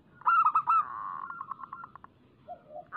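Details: Local zebra dove in lively lure song meant to set doves singing: a burst of four bright staccato coos, then a long series of evenly spaced soft pulsing notes and a low gurgle.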